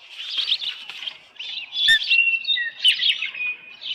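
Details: Osprey at its nest at Dunrovin Ranch, 10 June 2018, early evening with a headless fish: high squeaky chirps and drawn-out thin whistles, some falling, in an irregular stream, with a sharp click near the middle.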